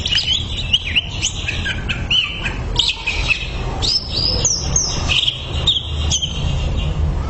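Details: Masteran tutor recording of greater green leafbird song: clear whistled phrases and quick sweeping notes in a continuous, varied stream over a persistent low rumble.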